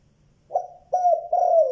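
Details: Spotted dove with a good 'giọng đồng' voice, calling in the two-note, cut-off-ending style. A short soft coo is followed by two long, steady, mellow coo notes, the last sliding slightly downward.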